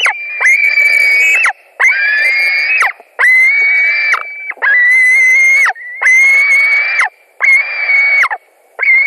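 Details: White-tailed eagle calling at a nest in Latvia on 17 July 2020 around 22:00, during a fish delivery that two eagles competed over. Long, thin, wheezy whistled notes of a second or more, held at a steady high pitch, repeated about every one and a half seconds.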